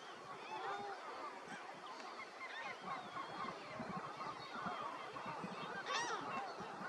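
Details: Greater flamingo flock giving a dense chorus of goose-like honking and gabbling calls, many birds overlapping continuously, faint and distant.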